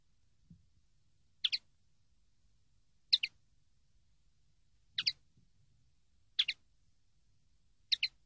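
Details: Common linnet from a training CD giving high double chirps every one and a half to two seconds, five in all, in a quiet, clean recording.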